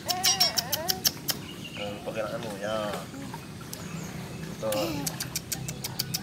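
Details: A tame, captive-bred Asian pied starling in full song gives a busy run of squeaky, wavering whistles and sharp clicks, rising and falling in quick phrases, over a low background murmur.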